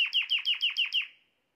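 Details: Canary phrase meant to prompt a hen into mating posture: seven quick, identical down-slurred notes in just over a second, fading out cleanly with no other sounds.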